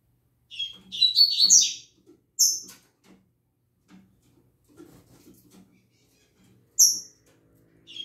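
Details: Double-collared seedeater from a keeper's group starting to sing in the morning: a short burst of tumbling, buzzy warbles, then two clipped high chips several seconds apart, with soft background thumps.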